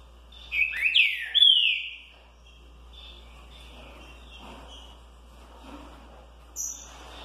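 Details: Green-winged saltator (trinca-ferro), caged, singing the 'curricurril liso' song style with coleiros; a few loud slurred whistled notes sweeping up and down, then quiet with faint twittering.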